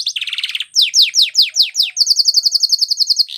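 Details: Training song of a canary, opening with a low chattering trill, followed by a run of steeply falling slurred notes and then a rapid, regular high-pitched trill.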